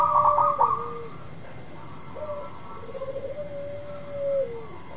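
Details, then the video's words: Local zebra dove, singing strongly, used to lure another dove into song. A fading stutter gives way to softer, quieter coos with a long level tone that drops at its close. Background hum throughout. "Perkutut lokal gacor memikat perkutut yang macet bunyi"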